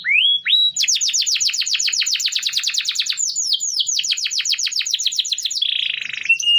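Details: Canary song meant to tutor other birds: a couple of rising whistles, then long fast rattling trills of repeated notes, a brief harsh buzz and a short closing whistle.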